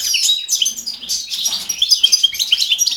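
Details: European goldfinch in fast, continuous high twittering song of tinkling, liquid chirps and trills, loud and close throughout.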